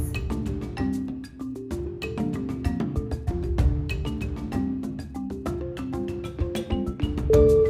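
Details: Bright mallet percussion music, marimba- or xylophone-like notes struck in a quick, lively melody over low tones; no animal voice is heard.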